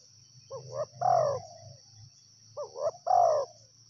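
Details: Two identical phrases from a wild spotted dove about two and a half seconds apart, each a pair of short hoots ending in a prolonged, descending coo; a steady shrill insect drone continues.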